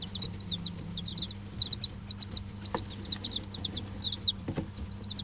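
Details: Five-day-old bantam chicks of Dutch and Barbu d'Anvers breeds in a heated brooder give clusters of sharp, high, slurred peeps in loose bursts, with occasional knocks and a steady low background hum.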